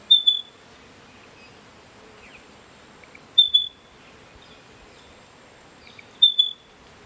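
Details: Spotted pardalote (Pardalotus punctatus) singing in a backyard in September, repeating a high, clear whistled phrase of two or three notes about every three seconds over a faint background hiss.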